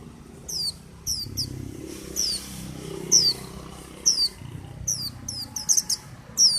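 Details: Busy white-eye singing: many high, quick, falling whistled notes, some in rapid pairs or triplets, over low rumbling background noise.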